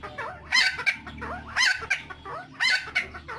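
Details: Helmeted friarbird (Philemon buceroides), the koak-kaok endemic to Nusa Tenggara, in a long lure recording: loud, harsh, cackling phrases with a few clearer gurgling notes, repeated about once a second.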